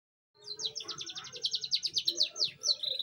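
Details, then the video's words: Young canary just starting to roll its song: after a short silence, a fast, steady trill of high, buzzy repeated notes runs for over two seconds, ending in a few sharper whistled slurs. "knari loper paud mulai ngrol"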